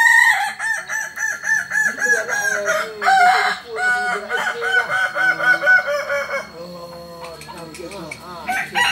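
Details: Rooster of the Kukuak Balenggek breed from Solok, West Sumatra, at a contest training session, giving a rapid, rhythmic run of repeated rising harmonic crow syllables that fade toward the end, music and people audible.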